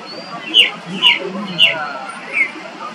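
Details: Ring ouzel (Turdus torquatus) calling in Lötschental, Switzerland, June 2023: four short, hard clicking calls roughly half a second apart over faint background hiss.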